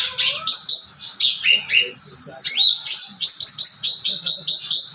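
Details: Cucak ranting singing energetically: high whistled and chirping notes, some falling slurs, a brief pause, then a fast run of sharp repeated chips, over faint background music.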